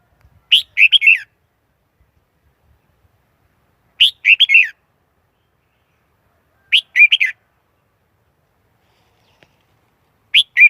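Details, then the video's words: Red-whiskered Bulbul lure song for catching wild birds: four phrases of three or four cheerful warbled notes, repeated about every three seconds in otherwise quiet surroundings. "Tiếng chim chào mào mồi dùng đi bấy cực sát bổi"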